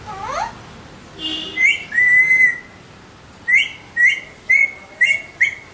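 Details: Alexandrine parakeets calling with a falling squawk, then a long level whistle, followed by a run of five short upslurred whistled notes roughly every half second.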